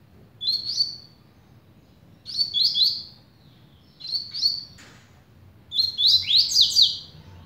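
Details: Double-collared seedeater called patrão and velocista, warming up into song: four high bursts of quick slurred whistles roughly every two seconds, the last longest and fullest, above a low hum.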